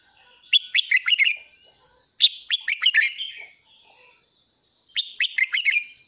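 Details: Red-whiskered bulbul kept as a cage bird in Vietnam, singing in the morning. Three bright, warbled phrases of quick, slurred notes, each lasting about a second with short pauses between them. No other clear sounds.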